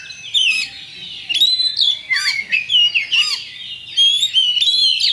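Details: Champion Oriental magpie-robin lure song meant to provoke birds to fight at once: loud varied whistles and sweeping slurred notes in short bursts, with a couple of lower arched notes, over a faint low hum.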